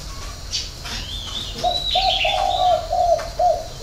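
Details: Six-note hậu 3 style cooing of a spotted dove: after a quiet start, a steady string of low, mellow coos, with one longer swelling note mid-phrase. Sharp, high twittering from other birds overlaps.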